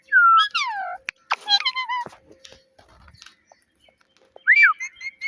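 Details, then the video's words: A pet talking parrot gives a loud descending whistled slide, a burst of harsh harmonic chatter, then silence before a rising-falling whistle followed by soft repeated notes. "Cute Talking Parrot"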